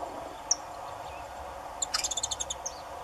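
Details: Saffron finch from Brazil, a bird of open fields, pastures and gardens, sings a fast series of high, bright, ringing notes after a single opening chip, over a steady low background rumble.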